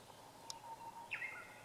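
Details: Japanese grosbeak (Eophona personata) recorded on 12 July 2015 gives one short, clear whistled phrase of a few linked notes. A soft click comes just before it, over steady background hiss.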